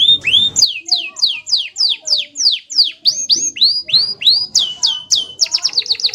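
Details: Rolling song of a canary: repeated high downward-swept whistles at a brisk steady pace, broadening into richer swoops, then closing on a quick, tight burst of rapid notes.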